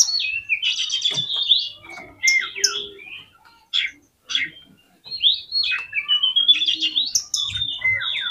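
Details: Oriental magpie-robin song played as a lure to excite other magpie-robins: loud, varied whistled phrases with rising and falling slurs and buzzy trills, broken by short pauses near the middle.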